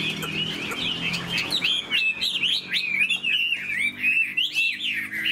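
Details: Pet Chinese hwamei, tail spread, playing its wings as it sings a dense stream of warbled whistles, looping notes rising and dipping, growing more intense and rapid in the second half.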